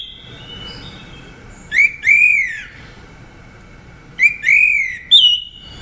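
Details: Orange-headed thrush giving clear slurred whistles, each rising then falling, in two paired phrases about two and a half seconds apart, ending with a higher short whistle.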